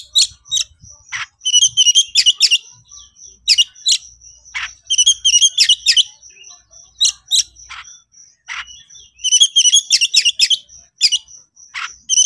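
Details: Agitated Oriental magpie-robin (kacer) in 'konslet' style song, challenging a rival: fast runs of sharp, twittering, buzzy notes in clustered phrases separated by short pauses, with a thin high sustained whistle threading through.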